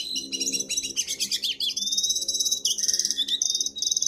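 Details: Jongkangan singing energetically as master material for training: dense high trills and rapid buzzy chips, then sustained thin whistles and a lower dropping note, over a soft background murmur.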